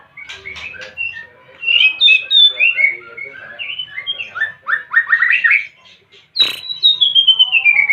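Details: White-rumped shama in breeding condition delivers rich, rapid song: rising and falling whistled phrases and quick chattering notes, a sharp harsh burst midway, then a long descending whistle followed by fast repeated notes.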